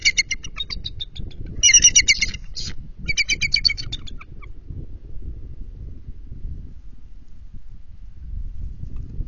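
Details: Bald eagles at their nest during a changeover at 12:35 am on a February night, the incubating bird startled by its landing mate: loud, shrill, rapidly repeated piping chatter for about four seconds, then quiet rustling.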